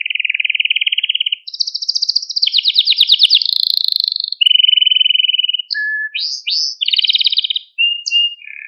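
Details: Canary song used to train young canaries and to stimulate and excite them: a chain of rapid trills shifting in pitch, from a rolling mid trill to higher buzzy rattles, then brief whistles and sharp chips, on a clean quiet background.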